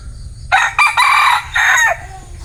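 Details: Bantam rooster crowing: one loud, harsh, hoarse crow of about one and a half seconds, broken into several short bursts with brief gaps, then a quiet background.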